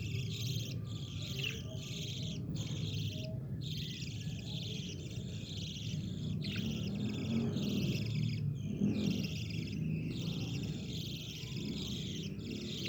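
Several budgerigars chatter nonstop in bright, scratchy warbles and chirps over a low background hum.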